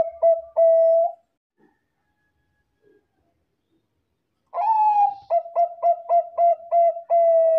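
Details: Zebra dove of the Bangkok type, a lively singer used as a lure to draw replies from other doves: short low coos and a held note, a pause, then a long coo followed by seven quick clipped coos ending in a sustained tone.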